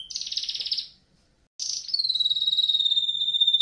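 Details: Canary song for training canaries to sing: a fast buzzy trill near mid-high pitch, a brief pause, then a sharp burst followed by a long steady whistled note with bright overtones.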